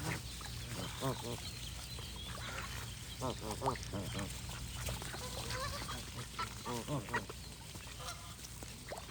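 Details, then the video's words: Geese honk in nasal, hoarse bursts, several in quick clusters every second or two, over faint chatter from other birds and a low steady hum. "Goose & Birds Sound Effects"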